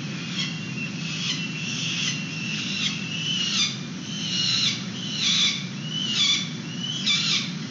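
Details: Young peregrine falcons being fed outside their nest box on 29 April 2021, PG&E building, San Francisco, webcam: repeated harsh, slurred high calls about once a second over steady low background hum.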